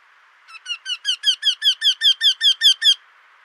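A Eurasian wryneck gives a run of about thirteen nasal, slightly falling 'quee' notes, roughly five a second, swelling louder through the series. No other sounds.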